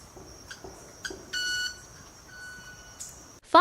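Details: Club-winged manakin of South America making its courtship wing sound by rubbing wing feathers together to attract females: two or three sharp ticks, then a brief ringing, violin-like hum, a faint tone, and a voice cutting in.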